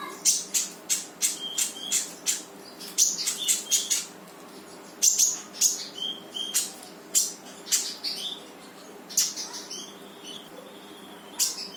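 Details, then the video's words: Brown-throated sunbird in lively full song, used to prompt a quiet bird to start singing: sharp high chirps and short trills in rapid bursts, with thin whistled notes between and a steady low hum behind. "KONIN GACOR FULL TEMBAKAN || UNTUK MANCING KONIN MALES BUNYI LANGSUNG IKUT BUNYI"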